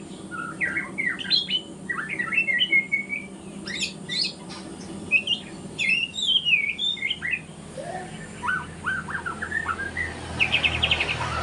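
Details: White-rumped shama in spotted juvenile 'trotol' plumage practising song in the morning, rattling off varied whistles, sharp upslurs and twittering phrases in bursts separated by short pauses, ending with a fast buzzy trill.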